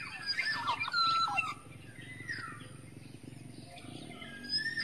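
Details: A wild Black-naped Oriole from the forest gives a lure call. A burst of loud, liquid whistled and rasping notes fills the first second and a half, followed by quieter, softer calls and light background hiss.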